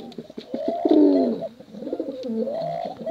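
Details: A pair of pigeons, male and female, give drawn-out coos that rise then slide down, joined by short burbling notes and a few clicks.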